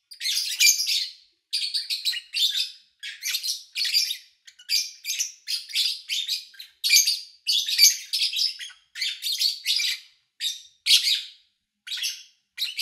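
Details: Kept lovebirds recorded in August 2019, from morning to evening, with little engine or human noise: a steady stream of short, harsh, buzzy high chirps, roughly two or three per second, with brief gaps, continuing without pause throughout.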